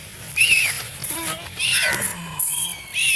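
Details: A scared duckling being chased by people gives loud, high, piercing peeps in a few quick bursts, each sharply downslurred, with people talking faintly behind.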